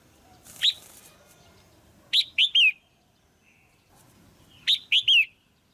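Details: Caged female red-whiskered bulbul giving a pairing call meant to stimulate a male: a single whistled note, then two matching three-note phrases of rising-falling whistles, the last note of each drawn out and slurred down, set against faint background hiss.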